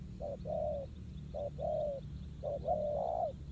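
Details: ['Wild spotted dove cooing well while squaring off against a decoy in a ground trap; three low, mellow coo phrases, each a short note then a longer drawn-out one, with steady low background rumble.']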